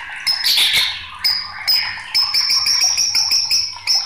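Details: White-rumped shama singing agitatedly: varied harsh, scratchy bursts followed by a rapid series of high, sharp repeated notes, loud and busy throughout.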